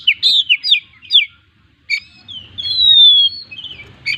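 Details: Kacer, the Oriental magpie-robin, with 'gacor full isian' song: a handful of bright looping whistled notes, a pause, then one long thin whistle that slowly falls, followed by a short chirp.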